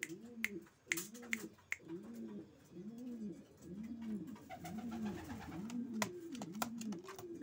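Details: Racing pigeons cooing steadily, low rounded coos rising and falling about once a second for seven seconds, with intermittent clicks and light knocks in the background.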